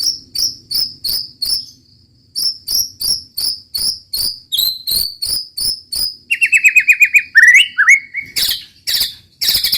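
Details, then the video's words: White-rumped shama in 'roll tembak' song: long series of sharp, clicking high notes repeated about three times a second, then a quick rattling trill and a few harsh bursts. "muraibatu roll tembak ajib bikin lawan naik emosi dan ikutan gacor"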